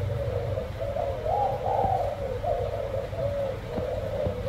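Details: Spotted dove of the black-flower-spotted type, one bird cooing in soft, low, throaty notes run together into a rolling phrase, over a steady low rumble of background noise.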